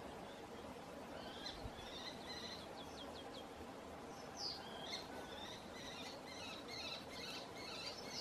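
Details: A Canary Islands kestrel at Tijarafe, La Palma, gives calls and mating sounds: thin, high, squealing notes, about two per second, some in quick trilled bursts, over a steady hiss of wind.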